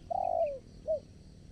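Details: Decoy spotted dove calling to lure wild doves during trapping: a long, low, slightly falling coo followed by a short soft note, over faint outdoor background.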